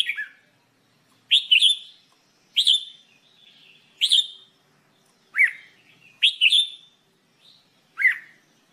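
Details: Red-whiskered bulbul in song training, repeating loud upslurred whistles roughly every second or so, some single, some doubled, with a few softer downslurred notes between, against a silent background.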